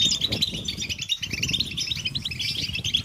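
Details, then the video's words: Short burst of European goldfinch group chatter, a chorus meant to get males singing: quick, bright twittering notes tumbling over one another above a low rumble. "Beautiful Goldfinches Chattering & Singing Sound in Nature"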